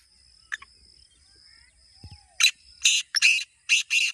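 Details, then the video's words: Black francolin (kala teetar) call, used to encourage kept birds to call: a faint thin note and a brief low thud, then five loud, rasping, grating bursts in roughly two seconds. "Kala Teetar Awaaz Kholne Ka Tarika | Black Francolin Calling Formula"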